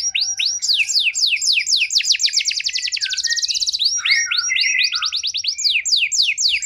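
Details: Canary song to lure a canary in poor condition into responding: continuous rolling song of rapid descending whistles and fast trills, with lower warbled notes mixed in, at about four notes a second.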